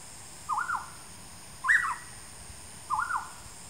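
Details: Rusty-cheeked scimitar babbler (Pomatorhinus erythrogenys) calling in the Qidu hills of Taiwan on 1 September 2019: three short whistled, warbling phrases about a second apart, over a steady high insect drone.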